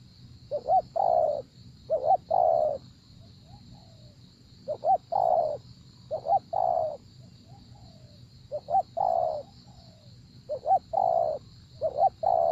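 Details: Spotted dove at a decoy-luring session, several bouts of two-note lead-ins and long rounded coos with brief pauses and a few faint softer coos between, over a steady high-pitched background drone.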